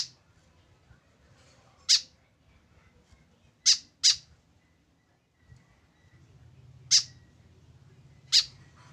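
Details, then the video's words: White-breasted woodswallow, a tame bird alone without a companion, uttering abrupt harsh notes, one quick pair among five calls at irregular gaps, against a soft low hum. "KESEDIHAN BURUNG KEKEP BABI TANPA TEMAN"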